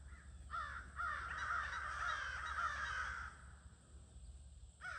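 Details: Crows gathered toward evening in late August 2026 give a burst of massed, overlapping caws lasting about three seconds. The calling then drops to near quiet until one more harsh caw breaks in at the end.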